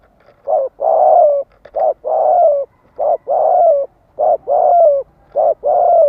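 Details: Rapid, nearly continuous spotted dove cooing to stimulate males: paired notes, a short coo then a long rolled coo, repeated about every second, with little pause between them.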